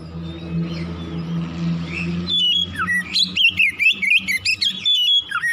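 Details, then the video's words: Oriental magpie-robin morning song for stimulating singing: a low hum and faint whistles at first, then from mid-clip a rapid burst of loud, varied whistled notes and downward slurs. "PANCINGAN KACER PAGI HARI CEPAT NGROPEL BUKA PARUH"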